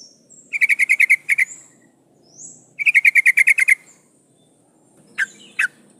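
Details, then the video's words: Female sooty-headed bulbul in breeding condition, calling for the male with two fast chattering bursts of about nine and ten sharp notes each, then two lone clipped notes after a pause. "Suara Burung trucukan gacor memanggil lawang pancingan trucuk betina mmanggil jantan agar bunyi"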